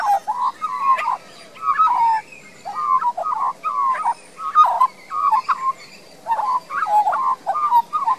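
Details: Resident young Australian magpie singing in a Queensland garden, Australia, filmed on a compact camera: repeated short fluted, yodelling phrases, each a rising-then-falling whistle, delivered in steady bursts roughly twice a second.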